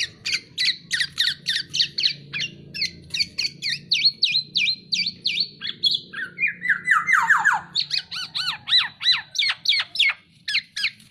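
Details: Tame Black-naped oriole singing vigorously: a fast series of harsh, squawking notes repeated about three times a second, with a run of lower slurred, descending whistles near the middle, and a faint low hum underneath.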